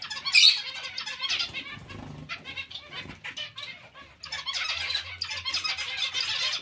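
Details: Zebra finches in a colony calling all together: a sharp bright squawk opens, then steady, busy, overlapping nasal chirping that swells again toward the end.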